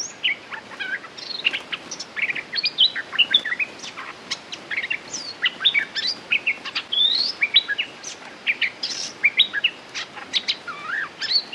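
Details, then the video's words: Red-whiskered bulbul song: a rapid, continuous run of bright, chirpy whistled notes, some rising and some falling, following one another with hardly a pause. "Suara pikat merbah gacor"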